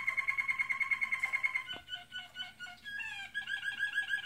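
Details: American Singer canary in training singing indoors: a fast trill of repeated whistled notes, then varied chirping phrases and a rolling, bubbly series of notes, with a low steady hum behind.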